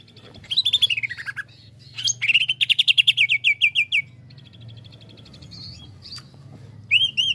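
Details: Greater green leafbird, stirred into excitement, opens with a falling slurred whistle, then pours out a fast train of sharp repeated chirps, a soft thin trill, and a closing bright upswept note.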